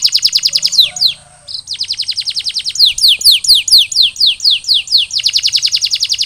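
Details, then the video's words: Canary recovering after its molt, singing a fast roll of short dropping notes. After a brief pause come steeper downward swoops, then a rapid, even roll returns. "Post-Molting Recovery: Get Your Canary Back to Gacor Faster!"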